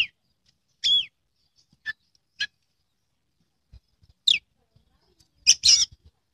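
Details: Captive Oriental magpie-robin entered in a song contest giving scattered loud, sharp notes: a rich falling whistle, short chips, and a harsh scratchy burst near the end, with pauses between.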